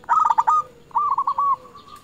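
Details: A local zebra dove calling out to rivals to draw replies: a burst of quick stuttered notes, then a smooth rolling trilled coo fading into a long soft tail.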